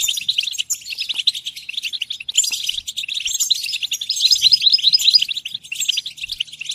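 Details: European goldfinch delivering a dense, unbroken twittering song of fast tinkling and buzzing notes, sounding busy and excited throughout, with a few faint low knocks in the background.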